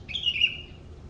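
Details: Bird singing in the morning: one clear whistled note, slightly rising then level, lasting under a second over a faint low background hum.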